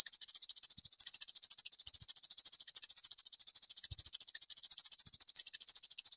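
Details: A crested jay in a songbird-training master recording rattles steadily for six seconds, a high, rapid series of clipped metallic ticks at an even pace, with little else heard.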